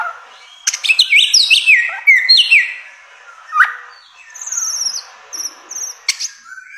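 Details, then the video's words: Samyong, or bare-throated whistler, in a long tutor recording: quick jumbled whistles sliding downward in steps, a lower slurred note, then thin high repeated whistles and sharp clicks. "masteran samyong 1001 suara durasi panjang"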